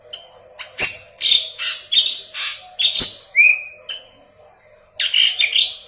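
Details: Yellow-headed leafbird pouring out gacor song as tutor material for green leafbirds: scratchy chirps, a clean upslurred whistle and a closing burst of mixed notes, with a brief pause before it.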